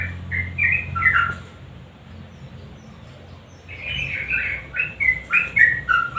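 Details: Sooty-headed bulbul singing in lively 'nguklik' style, meant as a lure for silent birds: a short burst of whistled warbling notes, a quiet pause with low hum, then another run of bright, quickly repeated phrases.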